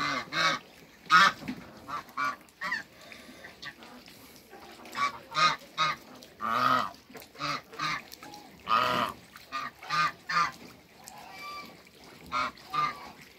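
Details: A pair of Muscovy ducks meeting in the water on a farm, trading many short raspy honks at irregular intervals, some in quick doubles, through the whole stretch.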